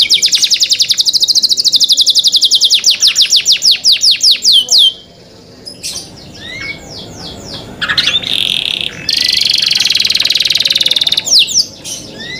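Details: Canary in cenkok song style: a long sequence of rapid high falling whistles over a buzzy trill, then a pause, scattered sweeping notes, and a loud sustained buzzing trill near the end.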